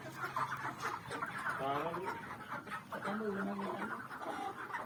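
A rooster gives harmonic crowing phrases that rise and then hold, set against a busy background of clucking fowl and murmuring voices.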